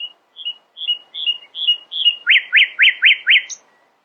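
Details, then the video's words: Nightingale singing in the early morning: a run of short whistled double notes that grow steadily louder, then five fast, loud, sweeping V-shaped notes, ending on a high thin note. "Nightingale screamed in the early morning, proudly displaying her poetic singing voice."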